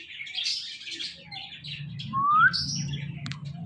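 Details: A talking pet Indian ringneck (rose-ringed parakeet) gives one clear rising whistle, with scattered soft chirps before it and a low background hum throughout.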